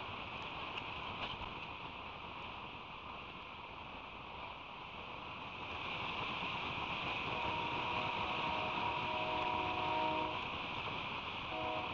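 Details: Steady wind-like rushing noise with a faint tonal hum, and no animal sounds.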